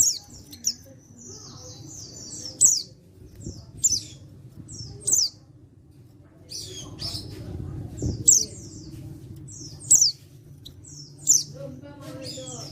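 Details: Male pleci (white-eye), an untrained bird from Pacitan, recorded 14 October 2022, calling to prompt other white-eyes to answer; high, thin chirps and short sharp twitters in bursts about every one to one and a half seconds, with a low hum beneath.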